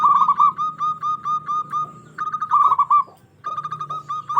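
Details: Zebra dove from Indonesia calling loudly to stir rivals: continuous rolling, slightly trilled coos at a steady pitch, with faint low background hum beneath.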